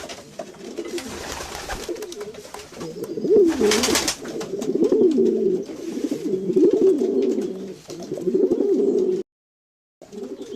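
Several domestic pigeons coo together in low, throaty, rolling murmurs that overlap almost without pause, with a brief flutter of wings partway through.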